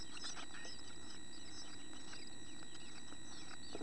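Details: Nest box chickadee chicks close to fledging, now feathered and exercising their wings; continuous rapid high-pitched chirping, many overlapping short notes throughout, with a constant low hum behind.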